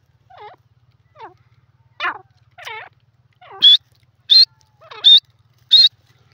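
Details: Francolin (teetar, yellow partridge) gives a series of harsh, harmonic notes about every 0.7 seconds; lower downslurred notes build into louder, piercing high calls; no other sounds stand out.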